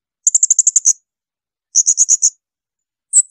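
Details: Rapid shrill volleys of a blue-crowned hanging parrot, meant as tutor material for songbirds: eight quick piercing notes, five more after a pause, and a final squeaky pair at the end.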